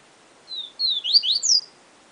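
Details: 'Siu siu professor' song of a yellow-bellied seedeater: two drawn-out high whistles, then a quick burst of sliding, overlapping notes rising toward the end.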